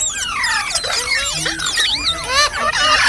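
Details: Chirping from a green parrot, a continuous flow of arching, wavering whistled notes and squeaks, loud throughout with hardly any pause.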